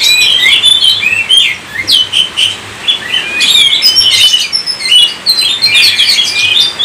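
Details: Oriental magpie-robin, a kept songbird in Indonesia, singing a rapid, varied stream of whistled and chattering notes with sweeping rises and falls, dense bursts separated by short pauses; a faint low hum underneath.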